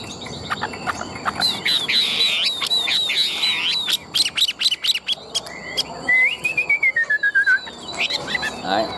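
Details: A tame, large-bodied captive Chinese hwamei, described as a strong competition singer, sings fast, varied phrases of loud, clear whistles and rapid chips. It ends in a slurred run that steps down in pitch, over faint background noise.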